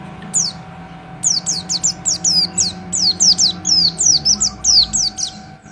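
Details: Rapid high-pitched white-eye song of short downward-sweeping whistled notes in a steady stream, roughly three to four per second, over a faint background hum.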